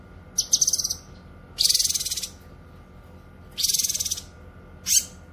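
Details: Song of the cucak kinoy for training and trapping: a pulsed chatter, then two long harsh rasping rattles separated by brief sharp upward notes, with quiet gaps between phrases.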